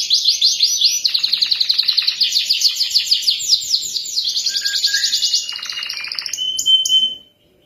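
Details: Canary singing for young canaries learning to sing: long, fast, bright trills of rapidly repeated notes shifting in pitch, with short lower warbles mixed in, ending abruptly after about seven seconds.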